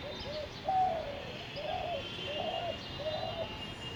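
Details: Spotted dove cooing in North Kolkata on 10 February 2021: a run of five muffled, low coos, the second slightly louder and sharper, each note swelling and fading, with light background hiss.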